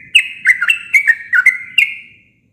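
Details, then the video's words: Natural song of a sooty-headed bulbul, plain with no mimicked phrases: a quick run of bright, bubbly whistled notes with sharp onsets, six rapid phrases in under two seconds, clean background. "Suara alami burung trucuk tanpa isian cocok untuk masteran"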